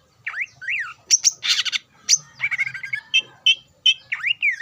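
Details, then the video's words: Greater green leafbird singing to provoke rivals: rising and falling slurred whistles, then sharp scratchy bursts and a string of short whistled notes, ending with more up-and-down slurs. "PANCINGAN CUCAK IJO GACOR AHLI MEMANCING CUCAK IJO LAWAN AGAR EMOSI"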